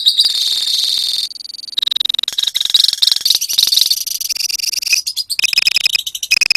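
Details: Lovebirds from a colony in ngekek song: a continuous shrill trill that gives way to choppier, rapidly pulsed chatter shifting in pitch, with several birds overlapping.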